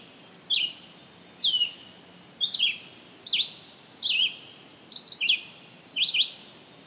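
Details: Red-eyed Vireo singing in summer, July 13, 2023, Maynard, Massachusetts: short, slurred whistled phrases, rising or falling, about one each second, over steady soft background hiss.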